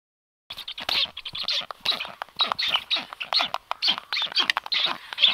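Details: Black stork at a nest filmed by livestream camera on 9 July 2023, as an unringed strange stork lands on the balcony; after a brief silence, harsh raspy calls repeat about twice a second.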